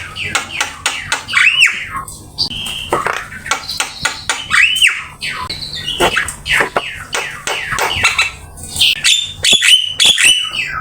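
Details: Black-winged myna singing a master song for training: repeated arched whistles that rise and fall, with harsh squawks and clicking chatter between them, loud and close.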